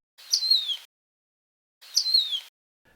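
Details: Lesser Goldfinch in an Arizona desert backyard in spring giving two matching high, plaintive, falling 'pee-ur' whistles about a second and a half apart, with silence in between.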